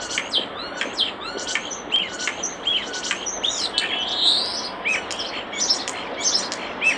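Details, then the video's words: Beside its nest box, a common starling pours out a dense medley of sharp clicks, squeaky slurs and a drawn-out whistled note, loud and continuous throughout. "Common Starling Bird Song and Call By Nest Box"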